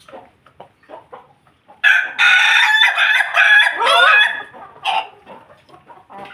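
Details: Ayam Ketawa chicken together with Pelung Bangkok chickens, delivering a long loud crow of over two seconds made of stuttering, laugh-like segments that ends with a falling slur, with soft clucks before and after.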